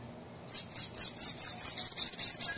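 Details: Bananaquit (sibite) song, played to encourage a captive bird to sing: a very high, thin, buzzy trill of rapid, slurred notes that speeds up toward the end.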